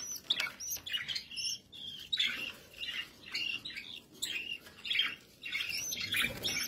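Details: Kept budgerigars calling in a series of short, harsh chirps and scratchy warbles, bursts every half second or so with brief gaps, fairly clean background.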